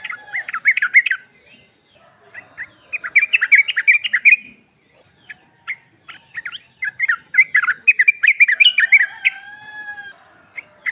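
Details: Lure recording of a female sooty-headed bulbul calling a male: repeated bursts of busy chattering and warbled notes across eleven seconds, separated by brief gaps, with a faint whistled tone near the end.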